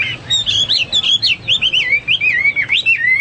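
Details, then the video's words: Brief, dense Hwamei phrase of quickly repeated, wavering whistles that step up and down in a continuous bubbling flow. "Burung Hoa Mi gacor"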